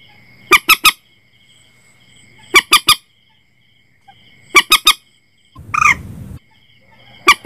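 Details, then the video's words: Common moorhen calls recorded for setting nets at night, 2022: harsh, broadband triple notes in quick bursts, repeated about every two seconds, over a steady high tone, with a brief noisy rustle near the end. "suara burung mandar batu"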